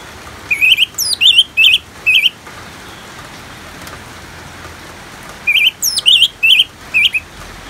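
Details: Song of an orange-headed thrush mixed with natural rain for bird therapy; two phrases, each a string of four or five looping warbled whistles with thin high slurs above, pausing several seconds between while rain patters steadily.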